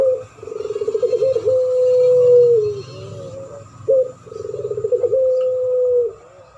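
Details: Spotted dove duetting with a puter pelung dove in a champion-voice lure recording: twice, a rapid throbbing series of coos runs into a long smooth held coo that dips at the close, with a short separate coo between.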